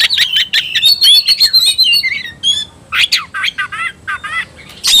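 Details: Oriental magpie-robin provoked into fighting mood, singing a fast rich stream of clicks, whistles and trills, followed by repeated down-slurred chirps about twice per second.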